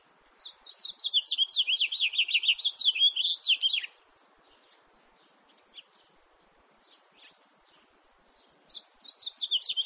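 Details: House finch, 2018 recording: a lively high warbling phrase of quick slurred notes for over three seconds, then near silence with a few soft chips before another warble begins.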